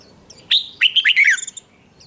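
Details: Red-whiskered bulbul singing in a contest-style session: a loud burst of rich, warbled whistled notes lasting about a second, sliding and rolling between phrases, over a quiet background.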